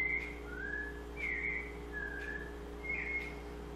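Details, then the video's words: Sabiá-coleira, the white-necked thrush, in Pernambuco: long level and gently falling whistles, about one per second, pure and sustained, with a constant low hum behind. "Sabiá Coleira_ Cheia de Charme"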